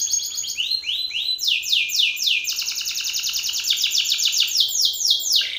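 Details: Loud song of a Belgian canary male singing at a rival male: quick repeated downward whistles building into a long bright trill, ending on a lower sliding note.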